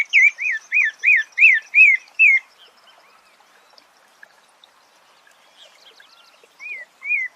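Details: Thrush (sabiá) song: a run of seven loud, clear, arched whistled notes repeated about three per second, then a quieter pause with faint high twitters before two more slurred notes.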